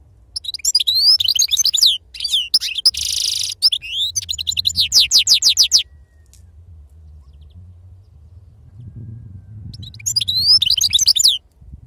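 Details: European goldfinch singing in the authentic wild song style called sarfati. Rapid high twittering phrases of sliding, liquid notes come in two bursts, a long one then a short one, separated by quiet with faint low hum.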